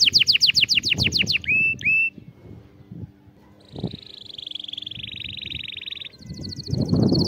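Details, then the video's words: Canary tutoring song for youngsters: rapid repeated down-slurred notes, two rising whistles, a long buzzy rolling trill, then fast high repeated notes, with faint low household noise underneath. "تغريد كناري لتعليم الصغار"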